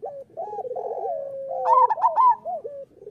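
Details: Local zebra dove song used as training material for caged doves. Layered coos run together: a rippling, bubbling start, a long steady coo, then a sharper cluster of high clipped notes and looping coos.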